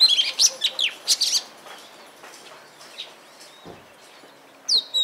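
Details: Oriental magpie-robin in Punakha, Bhutan, giving a quick burst of bright, high chirps and slurred whistles, then a pause and a final sweet whistled note.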